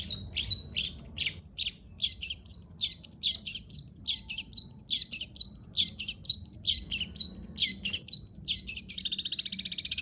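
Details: Long-tailed shrike performing greja nyeret song: brisk series of sharp, high, slightly slurred chirps repeated two to three times a second, ending in a short buzzy trill, with faint low background hum.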